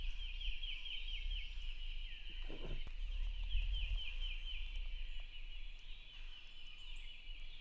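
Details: Wild turkey tom sounding off from his roost in the rain on opening day, roughly 150 yards from camp; faint, far-off rolling gobbles in two bursts over constant rainfall noise.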